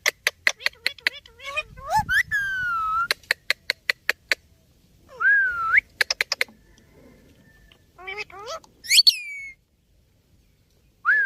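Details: Talking ringneck parrot giving bursts of rapid clicks mixed with drawn-out, falling then rising tonal syllables and a few sharp upswept squeaks, with short silences between phrases.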